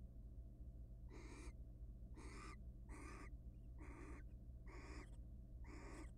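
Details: Wild barn owls at a nest box during frequent mating before egg laying, giving a series of six harsh, hissing screeches, each brief and evenly spaced about a second apart, with constant low hum beneath.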